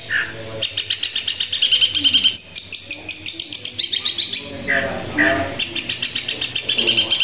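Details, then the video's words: Long-tailed shrike in full song, 'tembakan kuntilanak' style: fast repeated high, shrill chirp series, a sustained whistled note, and interludes of lower warbling and chattering fragments between bursts. "Cendet tembakan kuntilanak gacor gaya mewah"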